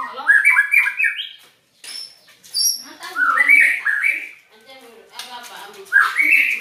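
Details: White-rumped shama making unusual sounds: a varied jumble of rising whistles and chattering phrases, then thin high whistled notes after a brief silence, resuming with rich warbled runs.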